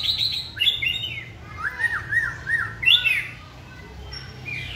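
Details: Caged white-rumped shama singing during a training session while hung on a pole: rich whistled phrases opening high, then a run of four looping, repeated mid-pitched notes and a sharp, bright flourish, over a faint low hum.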